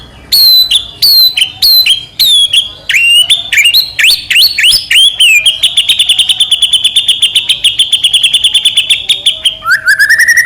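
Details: White-rumped shama in full, constant song, used as a lure to provoke another shama into singing: about ten sharp whistled notes sliding up and down, then a fast, steady run of rapid repeated notes for four seconds, closing on a lower falling whistle.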